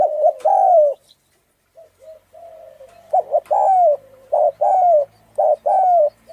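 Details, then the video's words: Thai-strain spotted dove with a hoarse voice, cooing to provoke males and females: loud, throaty coos mixed with quick short notes, a quiet pause, then a fast, dense run of paired coos. "Tiếng chim cu gáy thái giọng khàn gáy gù kích trống mái kích bổi nhanh nổi"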